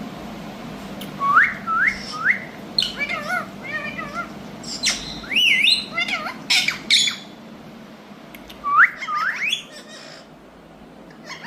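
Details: Talking Indian ringneck parakeets kept as pets repeat sharp rising whistled squawks in pairs, then a flurry of rapid chattering notes and warbling, before another pair of upslurred shrieks.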